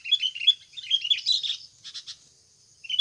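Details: Sooty-headed bulbul in natural voice, recorded as a trapping lure to prompt caged birds to sing quickly; a quick string of bright chirping, warbled notes lasting about a second and a half, then a few softer chirps over a steady high insect hum.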